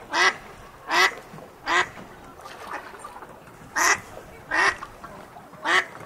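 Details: An adult duck calls in rasping quacks, about seven strong ones repeated at uneven intervals, with softer calls between and constant background noise.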